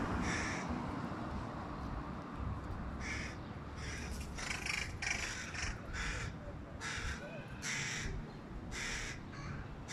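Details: Begging hooded crow fledgling calling loudly from a tree by its mother while the father, a first-time parent, feeds a sibling fish; a long series of rough, rasping caws, some in quick pairs, over a low hum.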